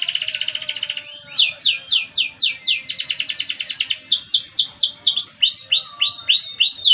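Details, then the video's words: Canary singing 'gacor' in 'cengkok mewah' (luxurious melodic) style: a pulsing trill gives way to quick, varied descending whistles delivered almost four per second, with small changes in pitch and spacing. "Suara Burung Kenari Gacor cengkok mewah"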